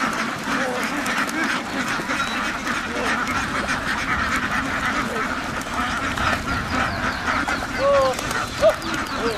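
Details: Crowded farm ducks quack without pause, harsh and overlapping. A few louder honking calls stand out toward the end.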